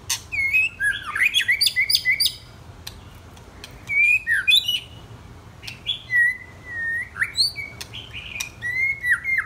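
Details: White-rumped shama song from one of two young birds aged 10 and 12 months: rich whistled phrases around two to four kilohertz, slurred rising and falling notes mixed with sharp clicks and buzzy accents, delivered in bursts with short pauses.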